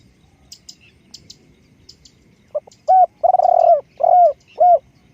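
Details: Spotted dove kept for decoy luring. A few faint high chirps come first, then a phrase of loud mellow coos: a short hoot, a long rolling purr and two clipped, falling notes.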